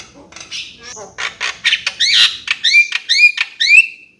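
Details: Javan myna singing: a run of harsh, scratchy broadband notes gives way to a series of sharp, rising whistled slurs repeated roughly every third of a second, ending in a short level whistle.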